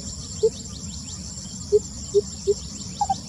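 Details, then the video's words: Lesser Coucal singing on 28 May 2020: four short, hollow, low hoots spaced irregularly, then a quick pair of higher notes at the end, over a steady low hum and a continuous high cricket trill. "番鵑宏亮的鳴叫聲 Lesser Coucal Singing バンケンの歌声"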